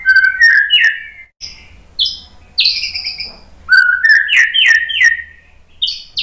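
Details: Song of a white-rumped shama meant to provoke birds into singing: loud fluty whistles and slurred phrases alternating with quick chips and buzzy high notes, delivered in several energetic bursts.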